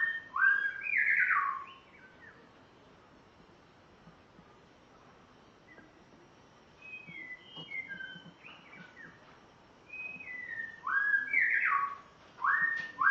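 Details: Caged spotted morning-thrush from Tanzania on its first day at its new home gives bursts of loud fluty whistles and slurred notes, separated by quiet gaps of several seconds.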